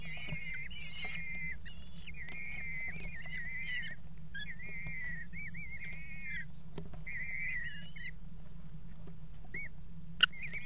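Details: Eurasian kestrel at a water tower nest box on 5 February 2018, mating on the box's edge: drawn-out, wavering whining calls with rich harmonics, repeated in bursts of a second or more, over a steady low hum.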